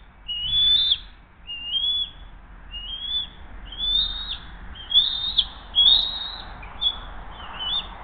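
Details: Bald eagle nest camera at Hays, 7:43 am on 20 June 2023, mother feeding the eaglet after delivering a second fish: around eight high piping whistles, each rising then dropping, spaced under a second apart, with a soft low hum behind.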